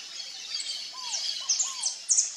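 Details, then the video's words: A wild saffron finch (Sicalis flaveola) gives a few sharp, high chirps and short sliding notes, with soft lower arched whistles from another bird beneath. "CANÁRIO-DA-TERRA (SICALIS FLAVEOLA), SAFFRON FINCH, AVE CANORA"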